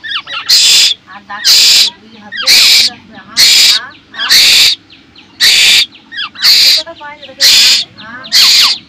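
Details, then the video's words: Baby koel begging insistently while a man promises to mix its rice: nine rasping, hissy screeches in a fairly regular rhythm, about one per second, with soft speech between calls. "ক্ষুধার্ত কোকিল পাখির বাচ্চা"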